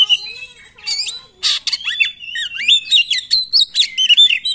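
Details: Oriental magpie-robin singing 'nembak' to prompt other magpie-robins: a whistled opening, a harsh squawk, then a lively chain of bouncing, wavering whistled notes rising and falling steadily.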